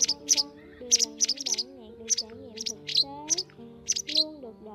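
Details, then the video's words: White wagtail lure recording used for netting migrating birds: sharp, high chirping calls in quick bursts, roughly one a second, over a steady backdrop of lower sliding musical tones. "Tiếng Chìa Vôi Trắng"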